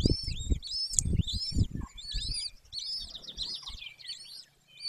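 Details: At a wild golden eagle nest in the Carpathian mountains of Bucovina, Romania, 18 May 2024 at 14:19, with a breeding pair: thin, high arched whistled notes repeated in quick overlapping series over loud low thumps and knocks.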